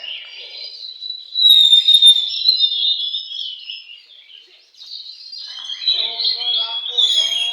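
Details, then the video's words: Oriental magpie-robin singing at a bird singing contest: a long, continuous run of high, shrill warbled and slurred whistles, loud at first, a brief lull, then a resumed rich stream, with faint lower chatter in the background. "kontes burung Kacer"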